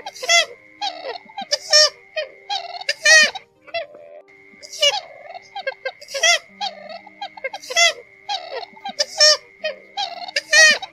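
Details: A single purple swamphen, in a lure recording used for night net trapping, giving harsh, nasal cackling bursts in short clusters about every one and a half seconds, over a steady electronic whine and low hum.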